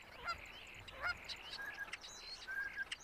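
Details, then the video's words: Male starling singing in mimicry of other species: a busy jumble of harsh, honking and whistled notes with thin high whistles and sharp clicks, the sounds changing every fraction of a second. "Starling mimicking"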